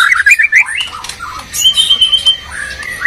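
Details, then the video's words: Brief stretch of a white-rumped shama duel between Medan and Borneo birds: quick warbled notes, then a long thin high whistle, with softer fluting phrases overlapping. "Murai batu gacor medan vs borneo duel dahsyat"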